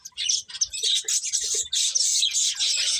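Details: Eating finches chirp in loud, clustered high notes, a short break near the middle before a steady run of sustained twittering resumes.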